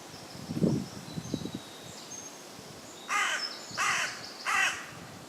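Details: Common raven up in a woodland tree, West Sussex, England, giving three evenly spaced harsh croaks. Before them come a soft thump and faint high, thin chirps from other birds.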